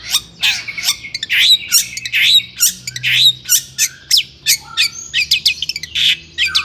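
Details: Agitated long-tailed shrike song for goading other shrikes: grating, nasal squawks roughly once per second, mixed with brief thin whistles and chips, over a faint low hum.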